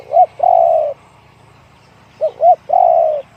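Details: Two phrases from a spotted dove in the one-kook, big-voiced style, separated by a pause. Each phrase has quick looping opening notes and then a long, drawn-out coo that falls slightly, over a low background hum.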